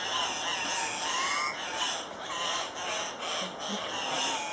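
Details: Lekking Andean cock-of-the-rock at Paz de las Aves, Ecuador, giving repeated harsh, raspy squawks in uneven bursts. Faint bird whistles and a persistent insect drone are heard throughout.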